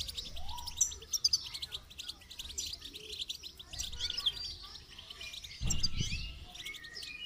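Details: Goldfinch singing during song training: dense, rapid high twittering with sharp metallic notes, a brief lower whistled slur near the start, and a low thump partway through.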